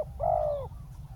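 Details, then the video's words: A single drawn-out, mellow coo from a spotted dove set out as a ground decoy to lure a wild dove, slightly falling at the end, against a low rumbling background. "เสียงนกเขาใหญ่ ต่อ นกเขาใหญ่"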